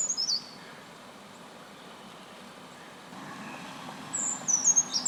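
A Brown Creeper gives very high, thin, sibilant call notes: a brief burst at the start, then a quick run of seee notes near the end over faint background hiss.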